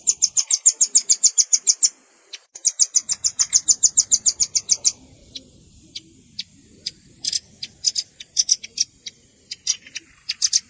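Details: Velvet-fronted nuthatch lure recording mixed with juvenile calls: two rapid runs of sharp, high chipping notes at about three per second, then scattered louder chips and short bursts over a faint low rumble.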